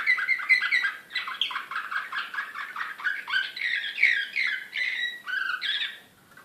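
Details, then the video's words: Belgrade canary of the Serbian Slavujar song style, 2016, singing excitedly: quick bubbling trills pulsing several times a second, rising into louder sweeping whistles and a final bright phrase before fading out. "SLAVUJAR SRPSKI"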